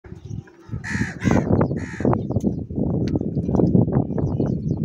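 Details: Crows squabbling over food while eating cheese: three harsh, buzzy caws in quick succession early on, over constant low clattering and pecking noise.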